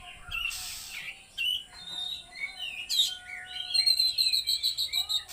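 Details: Oriental magpie-robin (kacer) delivering a loud song of varied slurred whistles and harsh notes, ending in a rapid, evenly repeated high trill of about a dozen notes, with a faint constant hum behind.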